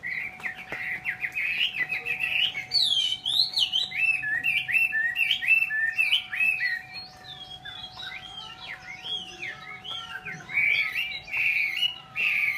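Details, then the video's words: A Chinese hwamei pours out a long, energetic song of quick trills, zigzagging whistles and melodious slurred phrases, barely pausing throughout, over a faint continuous hum. "chim mi"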